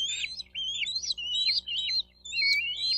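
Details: Bald eagle at the nest, Miami-Dade County, Florida, 4 June 2023, recorded by nest camera: wavering, squealing whistles rising and falling in pitch, run together in a continuous chattering stream with one short gap.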